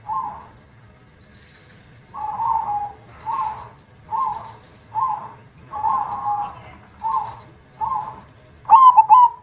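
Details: Zebra dove with a big voice in the KONG song style, singing actively: a run of soft, throaty coo bursts repeated several times a second, ending in a louder, sharper cooing phrase, over a low background hum.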